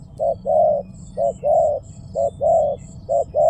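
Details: Clear spotted dove coos in rhythmic pairs, one short and one longer, roughly every 0.9 seconds. A series of faint high-pitched chirps runs through the background.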